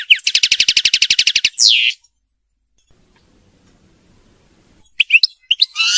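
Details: European goldfinch kept in captivity, singing for song-training of young birds: a fast rattling trill of evenly repeated notes, a drawn-out descending buzzy note, a long silence, then sharp high twittering chirps.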